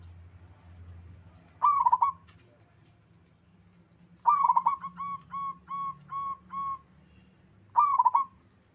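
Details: Local wild zebra dove with another bird replying. A quick rolling cooing phrase is followed by a second phrase that trails into six separate drawn-out coos, then a final rapid phrase.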